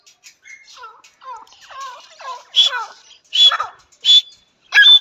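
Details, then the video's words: Grey francolin, known locally as teetar, with the call presented as a hunting voice: a run of soft rising notes builds into loud, sharp, high calls repeated roughly every three-quarters of a second. "Grey Francolin Voice Sound Teetar: Grey Fr ki Awaz Boli. Hunting voice"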